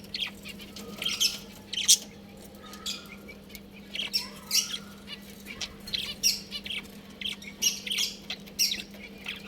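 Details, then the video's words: Budgerigars in a pet colony chirping: bursts of short, scratchy high chirps every second or so, with faint thin whistled notes between them over a steady low electrical hum. "Budgies Chirping Sounds"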